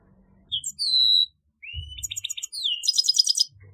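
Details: A grey-headed goldfinch, a finch species in which males and females look alike, gives thin slurred whistles, a rising note, a staccato series of chips and a final dense buzzy trill.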